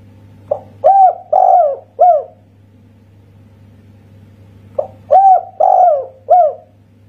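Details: Local spotted dove from Indonesia in kuk satu style: two identical phrases about four seconds apart, each a short soft note leading into three resonant coos with a lengthened, falling middle coo. A low constant hum sits under the song.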